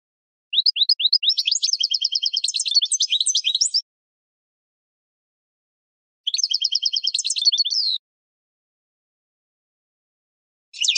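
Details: European goldfinch training song for captive birds: a few rising chirps open into a long rapid twittering trill, repeated after a pause as a shorter phrase, with another starting at the end.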